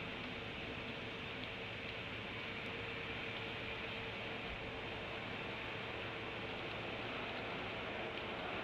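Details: Steady broadband hiss with a faint constant hum and no animal calls.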